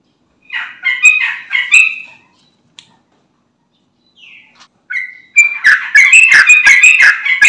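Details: Sooty-headed bulbul song used as a lure to set other bulbuls singing: short bursts of bubbly warbled notes, a pause, then a loud rapid run of rich gurgling chirps repeated about three times a second.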